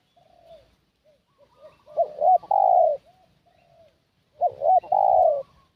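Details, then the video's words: Spotted dove calling as a decoy to lure wild doves: faint soft coos lead into two loud phrases, each made of two short hooked notes and a long, slightly falling coo, about two and a half seconds apart. "Suara Pikat Burung Tekukur"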